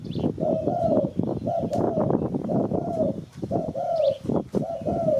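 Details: Cooing spotted dove from a recording meant to lure birds for trapping: repeated soft double coos, gently falling at the end, set against steady crackle and clicks.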